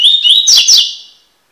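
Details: Song-tutoring recording of a Double-collared seedeater (Sporophila caerulescens) in the tui tui style: rapid upslurred whistles followed by two loud buzzy notes, then a fading tail; no other sounds.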